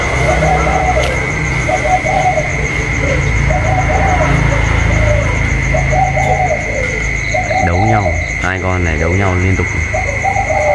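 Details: Spotted doves calling against each other, a decoy inside and a wild bird outside, 27 October 2022; repeated burry coo phrases, then a man talking near the end, over engine-like rumble and a high whine.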